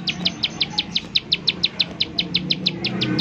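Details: Short burst of bar-winged prinia 'nembak' calling, used to coax prinias into singing; some seventeen bright, high, descending ticks in about three seconds, with low hum underneath.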